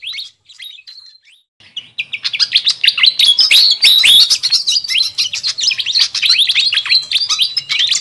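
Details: Busy lure call of the fantail flycatcher for wild birds: a couple of faint chirps in near silence, then about two seconds in a dense, loud chatter of rapid upswept notes begins and continues.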